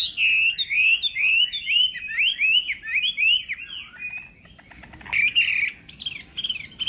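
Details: Chinese hwamei practising its fighting song in the morning: a fast chain of bright slurred whistled notes for four seconds, a short lull, then harsher burry phrases and high notes.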